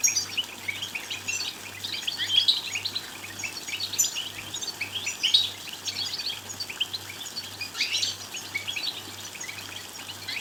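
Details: Lively goldfinch song for stimulating goldfinches to sing: ten seconds of rapid, tinkling twitters and chirps in uneven bursts, over a low hum that pulses steadily.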